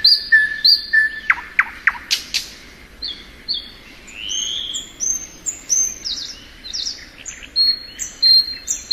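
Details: Thrush nightingale in spring, opening with clear whistles and a series of sharp downward-snapping notes, then a rising slur and a busy mix of high thin whistles.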